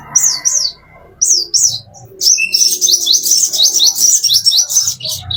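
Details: Plain-throated sunbird, locally konin or kolibri, in master song for caged-bird training: paired arched high whistles, then a sustained fast sequence of sharp, upslurred notes and chips, very high and busy.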